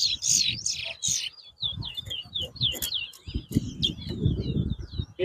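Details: Competition towa towa (large-billed seed finch), Bath Settlement, Guyana, 2022: bursts of harsh buzzy notes then a run of clipped, rising-falling high whistles, with crowd speech and murmur underneath.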